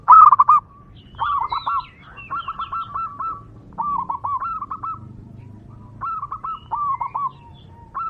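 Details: Local zebra dove singing in the wild, a recording meant to call in other zebra doves. Repeated phrases of quick, gurgling coos come every second or so, with faint higher chirps from other birds in the background.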